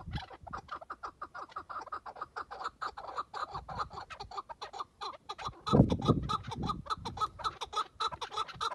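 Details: Tethered chukar partridge decoy calling ahead of a partridge hunt: fast, steady run of short clucking notes, about three a second, growing louder after the midpoint with a low rumbling burst.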